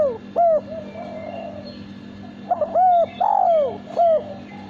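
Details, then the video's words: Male spotted dove sings a series of mellow, loud coos, each briefly rising then falling, some drawn out. The phrases come in groups with short pauses between, over a constant low-pitched background hum. "Derkuku Suara Bersih"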